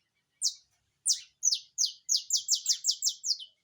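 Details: Rapid-fire song of a saffron finch (canário-da-terra): two spaced opening notes, then about ten harsh, buzzy, descending high notes in quick, even succession, ending abruptly in silence.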